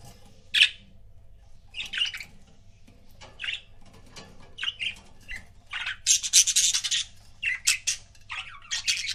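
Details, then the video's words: Paired pet budgerigars chatter busily: many short, raspy, high chirps and squawks come about four per second, growing denser and louder in the second half, with a steady low hum underneath. "CUTE BUDGIE COUPLES"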